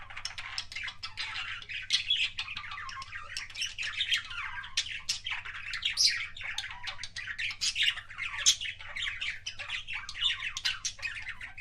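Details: Kissing sounds of a pet budgerigar, a continuous fast babble of squeaky chirps, short rising whistles and scratchy clicks, loud and steady, with low background hum.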